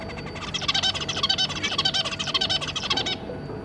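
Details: Zebra finch family, adult pair with three juvenile young, 2 August 2022: a dense burst of rapid, buzzy, harmonic-rich notes repeated almost two per second for about two and a half seconds, then stopping abruptly, over low steady hum.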